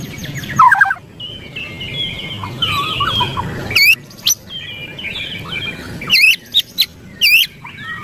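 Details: Agitated white-rumped shama producing scratchy warbled chatter punctuated by loud, sharp, high, down-slurred notes in short separated bursts, over a soft low hum.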